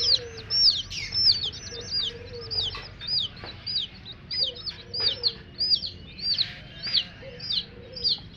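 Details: Chicks beside their hen produce a loud, lively chorus of sharp descending peeps in rhythmic clusters, with soft lower-pitched notes mixed in.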